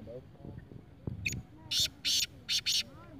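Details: A black francolin, known locally as kala teeter, gives a loud, harsh, grating call. Four buzzy bursts come in a quick rhythmic phrase after soft background voices.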